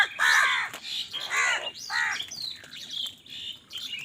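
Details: Crows fighting for food, giving harsh, loud caws with falling tails, three in the first two seconds, then thinner whistled notes from other birds in the background.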